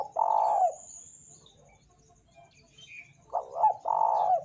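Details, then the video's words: Spotted dove cooing as a lure to get other doves singing: a long hoarse coo at the start, then after quiet a stuttered coo phrase ending in another drawn-out note; a thin high whine runs above. "PANCINGAN TEKUKUR BAHAN GACOR"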